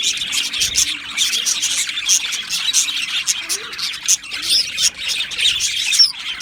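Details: Aviary budgies, a colony of Australian parrots, keep up loud high chirping and scratchy warbles with sharp squeaks standing out, plus a faint low hum in the background.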